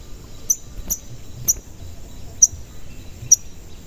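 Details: Five sharp, high-pitched sogon chirps about every half second to a second, used as a lure to make other sogon sing and respond, over quiet low background noise.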